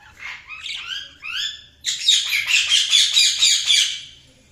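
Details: Budgerigars chirping: a few rising, warbled notes, then a continuous dense stream of scratchy, twittering chatter at high pitch, indoors with faint low hum.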